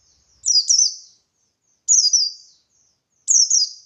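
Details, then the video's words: Buxtoni white-eye in lively ngalas-style song used as a lure to make other white-eyes reply; three high, slurred double chirps, each sweeping downward, spaced about every one and a half seconds. "Burung Pleci Buxtoni Gacor Ngalas Memancing Emosi Paling Ampuh"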